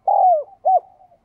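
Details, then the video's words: Two close spotted dove coo notes, meant to make a captive dove coo in reply: a long smooth hoot sliding downward, then a shorter arched hoot, each trailing off softly. "Chim Bổi Nhà bạn Không Chịu Gáy Vì bạn chưa Mở Tiếng cu gáy này"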